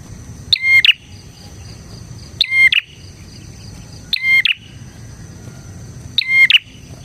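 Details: Bar-winged prinia singing energetically, a recording meant to lure prinias and tutor caged ones; four sharp chattering bursts with a bright whistled tone, roughly every two seconds, against quiet low rumble.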